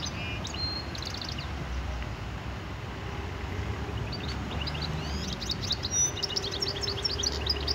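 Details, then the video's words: Goldfinch mule from Algeria, recorded in 2018, singing short bursts of high, rapid twittering notes and quick rising whistles, with a long gap mid-clip, over a steady low rumble of background noise. "Mulet chant - Chardonneret- Jilguero di Argelia"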